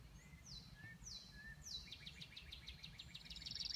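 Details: Northern parula, returned in spring (May), sings high, thin notes: three quick downslurred whistles, then a fast run of buzzy repeated notes ending in a sharp accent, over a low background rumble.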